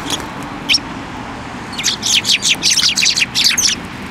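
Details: Sparrows at a Tenmangu shrine on 15 December 2023 flutter onto an outstretched hand for food, giving a lively run of rapid high chirps, about ten in two seconds after two isolated opening notes, over light background rumble.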